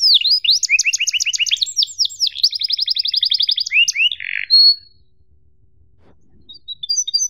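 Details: Cuit-cuit emosi canary song used to tutor young canaries: fast ringing trills of paired notes, a metallic rattling series and a short buzz, then silence with a few faint high pips.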